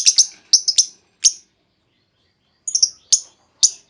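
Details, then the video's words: Call of a female lovebird used to lure others into long trilling; paired and single high, sharp chirps in two groups, the second group after a long silence, each note short and squeaky. "Pancingan Burung Lovebird Betina! Bakal Langsung Respon Lovebird Segala Kondisi Auto Ngekek Panjang"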